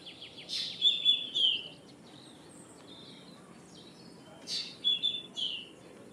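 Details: Common myna repeating a two-part phrase: a rasping note, then bright level whistles sliding down into a lower slurred note. The pattern returns after about three and a half seconds of quiet.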